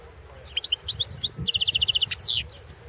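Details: European goldfinch singing in a world championship goldfinch song competition, 2016: rapid high twittering notes, then a fast even trill of repeated chips and a final descending buzzy note.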